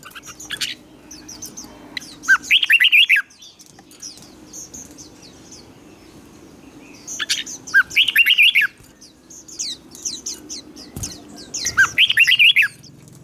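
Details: Red-whiskered bulbul in competitive singing, used to train birds: three bursts of rich, fast warbling arrive about five seconds apart, with light chirps and a low steady hum in between.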